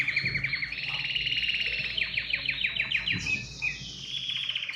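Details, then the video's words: Canary singing to encourage other birds to sing, chaining fast trills with a run of sweeping downslurred notes, then a higher rolling phrase that gradually descends. "تغريد كناري يحفّز الطيور على التغريد"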